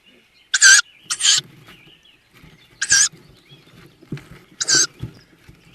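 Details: Tawny owl at a nest box with newly hatched chicks, in the Börzsöny mountains near Szokolya, Hungary, in April, giving four harsh, hissing, wheezy screeches, each short and rasping, spaced irregularly over several seconds, with soft low rustling and scratching between them.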